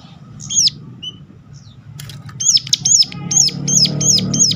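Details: Sunda warbler (ciblek gunung) sharp calling used to lure others of its kind into singing; a series of high, hooked, sharply rising-falling notes repeated rapidly, about six in the final two seconds, over low background hum.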